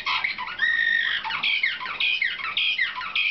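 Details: Young 2013 canaries of the slavujar, or nightingale-type, song line, caged and in training for competition, give a bright, clear flowing phrase: long whistled tones alternate with falling slurs, and the notes repeat in short rolling bursts.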